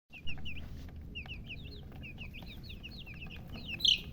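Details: Baby chicks of a hen, chirping: a flurry of short high peeps, many overlapping, with a low rumble of background noise beneath and a louder squeak near the end.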